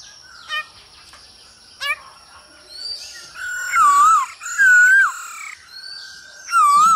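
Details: Male black-throated laughingthrush kept for song training, answering a female's calls: after two sharp clicks, loud rich whistles with wavering, dipping slurs come in short bursts, plus softer notes between them.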